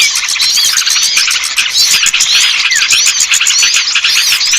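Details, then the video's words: Lure call for luring hard-to-attract small birds down: a dense, continuous chorus of high, thin chirps and quick up-and-down whistled sweeps, overlapping without pause, with rapid ticking pulses underneath. "Suara Pikat burung kecil yang susah turun"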